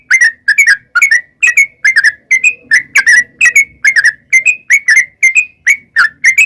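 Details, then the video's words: Yellow-vented bulbul in lively song to provoke answering birds: paired bubbly chirps repeated steadily, roughly two pairs per second, with sliding whistled tails. "trucukan gacor ROPEL PANJANG buat pancingan trucukan agar bunyi jadikan burung trucuk gacor NYAUT"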